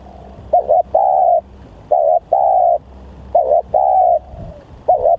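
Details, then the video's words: Very vocal, aggressive lure spotted dove calling: a short wavering double note then a longer flat coo, repeated about four times in five seconds, with quiet low hum behind. "Pikat Tekukur//Ini Kalau Liat Bl Sangat Bringas//Alias Sangat Gacor"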